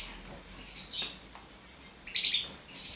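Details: Common chaffinch, recorded in 2012: a quick run of chirpy notes slides downward from high to lower pitch. Bright chirps follow, and sharp, very high ticks recur throughout.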